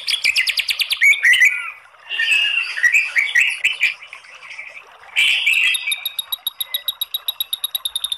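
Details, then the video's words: Kretekan-style song of a white-rumped shama with long tembakan bursts, meant to prompt other birds to sing: fast rattling pulse trains open and close the phrase, separated by a warbled, whistled stretch in the middle. "SUARA KRETEKAN MURAI BATU materi TEMBAKAN panjang ¦ PANCINGAN MURAI ¦ SHAMA BIRD"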